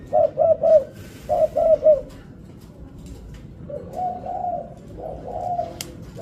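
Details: Spotted dove giving a stuttering variation of its song: two triplets of soft low coos in quick succession, then a quieter drawn-out series of smoother, slightly higher coos, with a steady background rumble.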